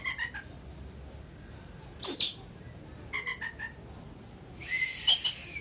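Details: Oriental magpie-robin song played to stir up aggression in a less combative bird: short clear whistled notes and brief slurred phrases spaced a second or so apart, with near-silent gaps and a quiet background.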